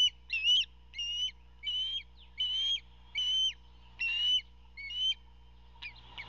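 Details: A hungry eldest fledgling osprey at a nest about 80 ft up beside a Georgia coastal salt marsh gives sharp, whistled chirps, short and slightly rising, about every two-thirds of a second over a low hum. This is during an adult male's fish delivery on June 14, 2021.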